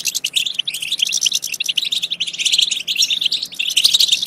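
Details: European goldfinch song to prompt goldfinches into singing and mating, a steady run of rapid chirps, tinkles and buzzy notes with a few clearer whistled notes toward the close.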